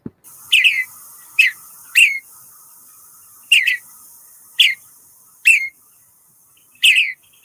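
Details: Western Bluebird at Calero County Park oak woodland: seven short, soft, slightly burry chirps at an uneven pace, roughly one every second, over a quiet background.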